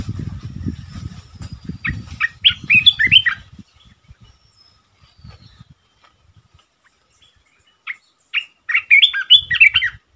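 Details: Red-eyed bulbul sound used to lure wild birds for trapping, recorded 15 January 2022. Two bursts of bubbly, chattering chirps, one near the start and one toward the end, separated by a quiet gap, with low thumping handling noise in the background.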